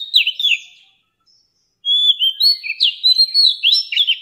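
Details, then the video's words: An old wild-caught Oriental magpie-robin sings a rich, varied run of clear whistles and sliding notes, a short phrase, a pause, then a quick unbroken stream; used to train young birds' song. "Tiếng Chòe Than Già Rừng"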